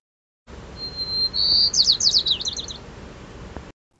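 White-crowned Sparrow song: a thin, steady whistle, a brighter rising note, then a quick run of buzzy, falling trills, all within about two seconds.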